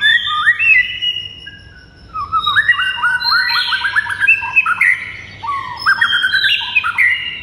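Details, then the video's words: White-rumped shama singing: sharp high whistled phrases, a brief pause, then a long tumbling series of rapid rising notes and varied slurred whistles, loud and clear over a faint low hum. "MASTERAN MURAI INI"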